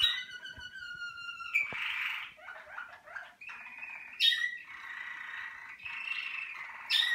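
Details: A Malinois Waterslager canary of a 2019 breeding team opens with a steady clear tone, then bursts into bubbling chopped gurgles and flowing rolls broken by sharp high accents near the fourth and seventh seconds.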